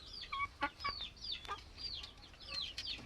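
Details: Plump village chickens giving rapid, high, downslurred chirping clucks in quick overlapping series, some squeaky and thin, with faint clicks and rustling around them.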